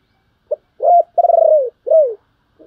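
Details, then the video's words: Spotted dove calling to lure other doves. A short clipped note opens the phrase, followed by a rising-falling coo, a long tremulous coo sliding down, and a falling coo, with a soft note trailing at the end. "cu gay kich boi nhanh noi/ gáy gọi cực đỉnh"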